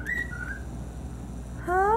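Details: Male gray cockatiel singing into his mirror indoors in a living room, with a second cockatiel nearby: two short clear whistles, the second slightly lower and longer, then after a pause a rising, harmonic-rich upslurred note; faint room hum throughout.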